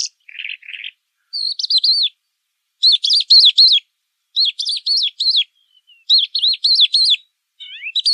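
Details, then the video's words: Pailing bird singing pekling: a brief low rasp, then repeated clusters of sharp, high, bouncing whistled notes, about three or four per cluster, separated by short silences, ending with a few falling slurred notes. "Burung Pailing pekling"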